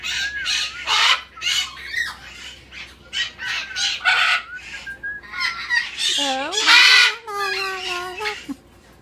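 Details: Umbrella cockatoo in a pet store, greeting a visitor with talk: a run of loud, harsh, speech-like squawks in rapid bursts, ending in longer wavering harmonic cries.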